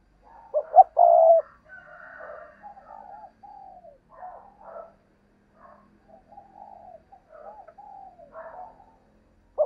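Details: Spotted dove cooing: one loud, throaty coo near the start, followed by a string of softer, low coo phrases with short pauses, and a brief loud note at the very end.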